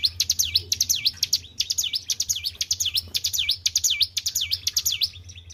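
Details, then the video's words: Kept white-browed shortwing singing steadily after careful keeping: loud, high, sharp V-shaped whistles that slide down and back up, about two per second, each with quick clicks before it, over a low steady hum. "GACOR IDOLA PARA SUHUU..BURUNG CIBLEK GUNUNG"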